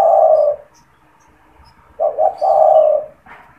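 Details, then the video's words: A caged spotted dove used to attract wild doves: the tail of one long low coo, a pause, then a full phrase of two quick coos and a drawn-out hollow note, followed by a brief higher chirp. "SUARA PANGGILAN DAN PANCINGAN TEKUKUR TERBARU | TEKUKUR GACOR BAGUS BUAT PIKAT"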